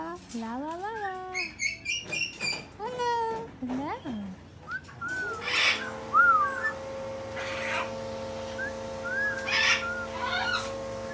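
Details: Umbrella cockatoo at a pet store, greeting a visitor: a parrot voice repeating "hello" several times in quick, sliding harmonic syllables, then steady music takes over with faint whistled notes over it.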